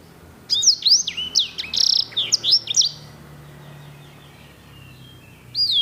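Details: Caged Edel/Herda sanger canary, known for beautiful, luxurious rolls. One sustained phrase of quick, bright, swooping whistles lasting about three seconds, followed by quiet, then a new phrase starting.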